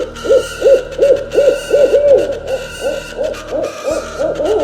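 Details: Owl repeating short, rounded hoots nearly three times a second in a steady rhythm throughout, with a faint sustained music tone underneath.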